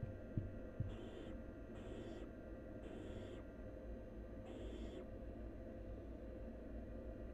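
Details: Barn owl chick, wild, at its nest while feeding on half a rabbit: four softer breathy hisses in a row, each roughly half a second long and about a second apart, a couple of faint knocks at the start, and a steady hum.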